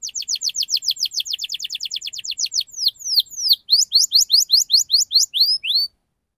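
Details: Canary in ngerol (rolling) song, played to coax young canaries to sing: a rapid, crisp series of downward-sweeping chirps, then slower, wider looping whistles before stopping.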